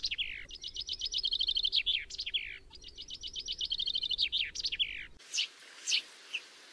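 Two bright, rattling chaffinch songs, each a quick run of notes speeding down the scale into a flourish. A few separate sharp notes follow.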